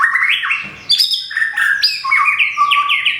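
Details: Caged white-rumped shama in Thung Song, Thailand, recently moulted, feathers nearly complete; strong flowing song of rapid rising and falling whistled notes, with a short harsh note near the start.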